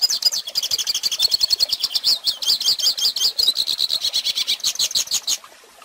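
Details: Hooded Siskin tutor song for young birds: a lively stream of high, rapid chirps and twangy buzzes and slurs, breaking off suddenly before a short silence at the close.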